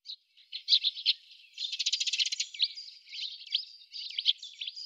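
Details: Eurasian tree sparrows at a fat ball feeder in Budapest on 20 December 2010, filmed in winter from a window hide: a busy stream of high chirps and short twittering notes, with a denser rattling burst in the middle.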